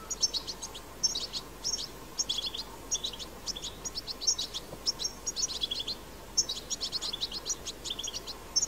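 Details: European goldfinch singing its strong wild twittering song: bursts of fast, liquid, high-pitched chirps in clustered phrases about every second, with sharp tinkling accents and a soft noisy background.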